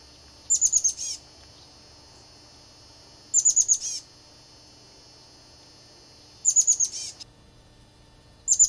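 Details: Chestnut-backed chickadee at its nest, in a flicker box, with eggs and young, standing guard: short bursts of high, thin, rapid notes, three to five together, repeated roughly every three seconds over a faint steady background hum.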